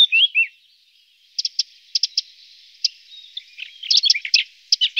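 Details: Lesser spotted woodpecker feeding its young: a few slurred notes, a quiet gap, then sparse pairs of short high ticks building to a brief flurry of chirps.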